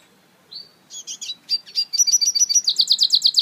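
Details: African citril mule song opening with a thin whistle, then buzzy chirps building into a fast, steady, repeated high trill that grows louder.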